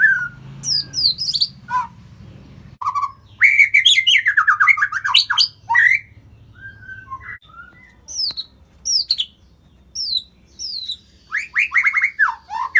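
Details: White-rumped shama from Indonesia in energetic, varied song: dense runs of high, sharp notes, downslurred whistles and brief pauses, then rapid trills at the end, with a low background hum in the first half.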